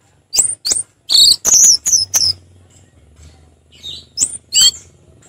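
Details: Orange-headed thrush singing in the relaxed ngeplong style: loud, clipped whistled notes in quick bursts, high and sliding, in two groups separated by a quiet gap with faint low hum.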